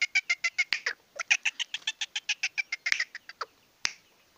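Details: Young male black francolin, Sindhi type, excited: harsh, evenly spaced clicking notes in quick succession, a brief gap, then a second run that fades into a few isolated clicks.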